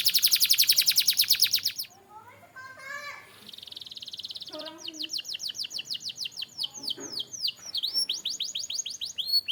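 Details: Canary singing a training song: a loud, fast buzzy trill of rapid high notes opens, followed by lower warbled and rattling phrases, a steady high rolling trill, then quick sweeping whistled notes repeated several times a second.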